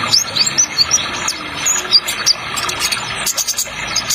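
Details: Sunbird of the trotol type, played as a lure with an added water effect to make young birds sing: rapid series of tiny high chirps and twitters, densest early on, over constant water hiss.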